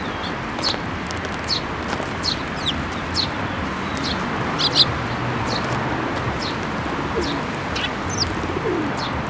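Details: Tree sparrows, including the season's first fledged chick, flocking to be fed at a Tenmangū shrine, 7 May 2024; thin high chirps repeat irregularly throughout, fairly soft, above a constant low hum.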